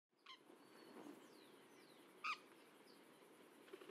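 An Indigo-winged Parrot gives a single short, harsh, rasping squawk midway, with a fainter scratchy note at the start, thin whistles from other birds, and a steady background hiss.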